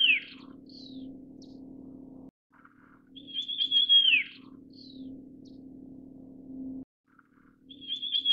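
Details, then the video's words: Russet sparrow calling: three drawn-out high whistles that each level off and then slur down, spaced a few seconds apart, with soft short notes between them and a constant low background hum. "山麻雀/Russet Sparrow"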